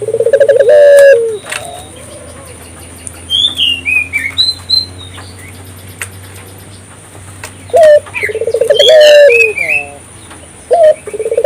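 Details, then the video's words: African collared dove calling actively to stimulate local doves: rolling, trilled coos at the start and again near the end, separated by a long quiet stretch with scattered high chirps and whistles from other birds. "suara burung puter gacor,merangsang burung puter lokal ikut gacor"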